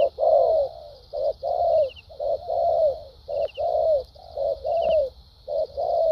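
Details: Cooing spotted dove from Vietnam, a wild-caught 'đồng' bird, in the 'thúc gù' and 'lèo dặm' styles: short clipped coos alternating with longer drawn-out notes that slide downward. A constant high hum runs beneath, with faint chirps.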